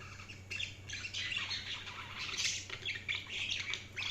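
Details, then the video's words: Dense, overlapping budgerigar chatter, a continuous busy mix of scratchy chirps and warbles with no pauses, heard at low volume over a faint steady hum. "Budgies Sounds| Budgies Chirping sound"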